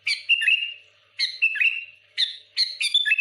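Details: Sooty-headed bulbul in full song, provoking rival bulbuls: four loud phrases of clear, bubbling whistles, each opening with a sharp note and sliding into a warbled trill, delivered in quick succession.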